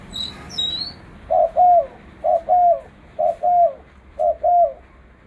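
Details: Spotted dove used as a lure for trapping birds in the jungle, giving a loud, low cooing phrase of a short note and a longer falling coo, repeated four times about once a second, with faint high chirps at the start.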